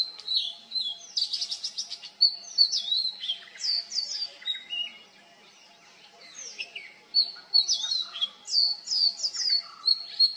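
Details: Oriental magpie-robin in a long mimicry song: rapid buzzy churrs, bright whistles and slurred notes in quick bursts, a short pause, then more varied whistled phrases.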